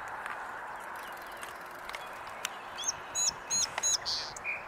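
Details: Male song sparrow singing from a salvia bush at a corral corner, a favourite perch; high sharp notes then a quick buzzy trill near the end over steady background hiss.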